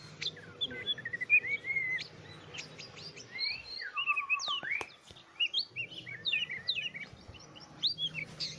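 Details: Oriental magpie-robin singing a varied, fast song of whistled slurs, rising and falling notes and short trills, in quick bursts with brief pauses; a faint low hum underneath.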